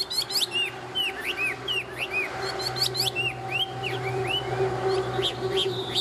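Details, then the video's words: Tame Chinese hwamei singing, with short bouncing whistled notes and brief trilled flourishes repeated through the stretch, partly set against a noticeable low humming background. "Họa mi thuần hót tốt"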